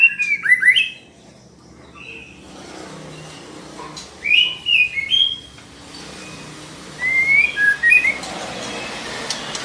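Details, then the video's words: Female white-rumped shama voice meant to prompt a male to sing: three short bursts of quick whistled, chattering notes separated by pauses over steady background hiss. "Suara murai betina memancing murai jantan gacor"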